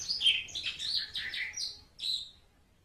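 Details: Asian pied starling, known locally as jalak suren, in a song recording used for training other birds: a run of clear, varied whistled and chattering notes, some high and some falling, then one short bright phrase after a pause.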